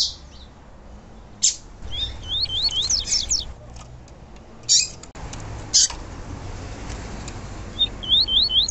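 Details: Female yellow-bellied seedeater (papa-capim) calling to excite males, as used by keepers of domestic birds. Rapid zigzag series of thin, high chirps around two to three seconds and again near the end, mixed with sharp clicks and low background hum.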